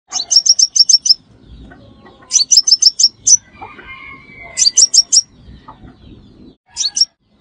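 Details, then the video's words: Sunbird call used as a trapping lure: bursts of five to seven sharp, high chirps in quick succession, repeated about every two seconds, with faint low rumbling in between. "Tiếng Hút Mật Xác Pháo Mồi Chuẩn Nhất 2025 - Bẫy Là Dính - The Sound Of Birds Sucking Nectar"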